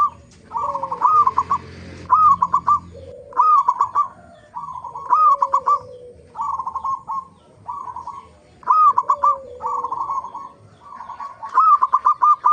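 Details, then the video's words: Local zebra dove lure song for prompting other zebra doves to sing: rolling, stuttering coo phrases of about a second, repeated steadily with a lower sliding tone beneath some, and a low hum early on. "pancingan perkutut lokal gacor AMPUH pandai BIKIN semua BURUNG PERKUTUT GACOR RAJIN BUNYI"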